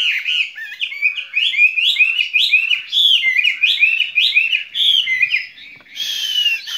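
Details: Skylark kept in a cage, spring love song: a continuous bright, bubbling warble of quick rising and falling phrases, unbroken for several seconds. A brief hiss comes near the end.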